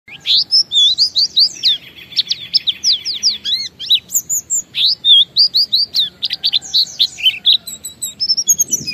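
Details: Oriental white-eye, a singing bird kept to prompt other white-eyes to sing, in a long 'ngalas' song: fast high twittering with rapid trills and sweeping whistled notes, densely packed with brief pauses, over a low background hum.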